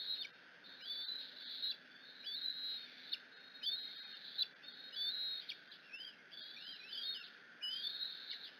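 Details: Bald eagle eaglet at a nest in Decorah, screeching with excitement as its mother arrives with food in the afternoon; thin, high squealing whistles with rising and falling sweeps, repeated in bursts roughly every second or two.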